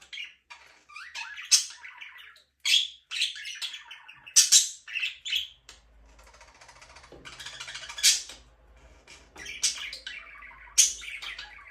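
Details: Pet budgerigar chirping: sharp high squeaks and short warbled chatters repeated in separate bursts, with faint chattering and low hum in the background.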